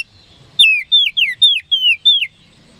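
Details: Oriental magpie-robin (kacer) song for provoking rival birds: six loud clear whistled notes, each sliding down in pitch, delivered in an even rapid run after a brief silence.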